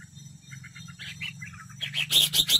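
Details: Red-whiskered bulbul decoy bird singing competitively, recorded close up. Soft chirpy notes at first, then a burst of loud, bright, rapid warbled phrases near the end, over a steady low hum.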